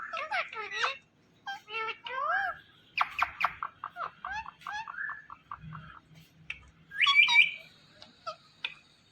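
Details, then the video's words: ['Indian ringneck parrot talking, a string of short, speech-like syllables with harmonic, voice-like bands, bursts of chatter separated by brief pauses, ending in a sharper high squeal; quiet indoor setting.'] "Parrot Talking Everything"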